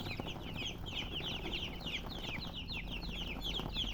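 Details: A brood of baby chicks peeping continuously, high thin notes that drop in pitch, overlapping in an uneven chatter against a faint background hum.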